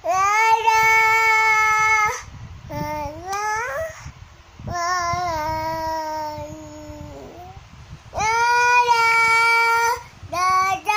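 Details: Singing cockatoo in a long sequence of sustained harmonic notes mixed with upward-sliding and downward-gliding phrases, loud and clear, separated by short breaks.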